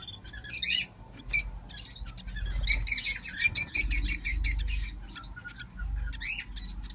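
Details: Five lovebird chicks hatched at the same time, calling together: high, thin chirps and scratchy peeps in uneven bursts, with a faint low rumble underneath.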